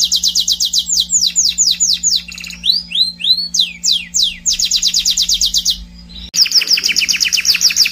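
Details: Scotch Fancy canary singing a fast run of trills: rapid repeated notes around 4–8k, then rising swept whistles and looping slurs, another quick trill, a short pause and a final buzzy rattle. A steady low hum runs underneath.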